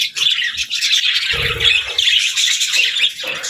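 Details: Budgies in a group with lovebirds make dense high chattering with squeaky whistled notes and a few harsher squawks, plus a low thud near 1.5 seconds.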